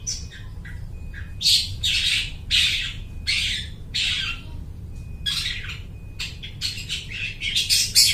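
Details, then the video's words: Long-tailed shrike in full song, imitating other birds and used for luring; loud harsh rasping bursts roughly every second, broken by a thin level whistle, with a constant low background hum. "suara burung cendet gacor niruin suara burung lai"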